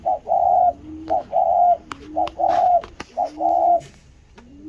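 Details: After catching sight of its mate, a spotted dove gives loud paired notes, a short clipped one then a longer held one, repeated about once a second over soft, low curving coos and faint clicks.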